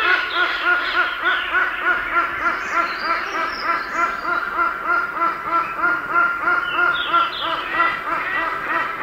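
A hornbill gives a long run of nasal, cackling notes, about three a second, like harsh laughter. Faint high chirps from other birds sound behind it.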